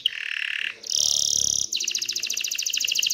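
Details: Excited canary singing to stimulate females to mate and build a nest: a high buzzy roll gives way to a sustained shrill tour, then a rapid run of bright repeated notes.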